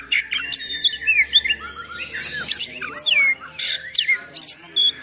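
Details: Oriental magpie-robin singing a harsh, rough-filled full song meant to provoke and train other magpie-robins: rapid varied whistles, sweeping slurred notes and buzzy bursts, densely packed with short gaps.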